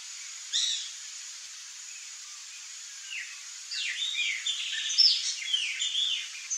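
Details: Whistling heron (Syrigma sibilatrix), maria-faceira, a free-living couple: one brief high note, a quiet pause, then a run of clear descending whistles, several overlapping and rising in intensity toward the end, over soft background hiss.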